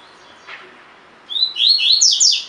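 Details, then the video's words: Coleiro or double-collared seedeater song in 'tui tui' style for caged-bird training: a faint note, a pause, then a clear rising whistle running into a rapid string of bright falling slurs. "COLEIRO DE GOLA TUI TUI FIBRA (8 Horas Encarte)"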